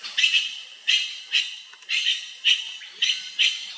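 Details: Grey-winged trumpeter giving a series of harsh, hoarse squawks, about seven bursts spaced roughly half a second apart with slightly uneven timing. Each burst is short and raspy, with no other clear sounds.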